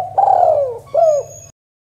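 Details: Male spotted dove gives two low, mellow coos, the first longer and sliding downward, the second shorter, over a faint low hum.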